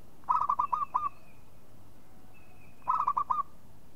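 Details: Zebra dove, local type, calling to lure others: two rapid phrases of bubbly, stuttering coos about two and a half seconds apart, with a faint thin high whistle between them.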